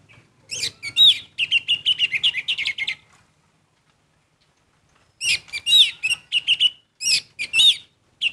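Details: Orange-headed thrush singing in full, energetic voice: dense bursts of rapid chirps and twittering notes, two long phrases separated by a pause of about two seconds.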